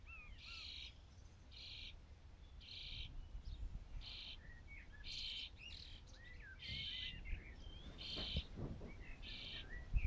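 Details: Nearly fledged common starlings constantly calling for food, driving the parents to feed them: faint, rasping hissy buzzes repeated about once a second, with scattered short chirps between, distant and quiet over low rumble.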